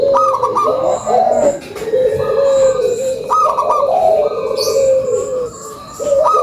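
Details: Local zebra dove used as a lure call, giving soft cooing phrases: hollow notes with quick repeated higher coos, several overlapping doves cooing over a steady background hum.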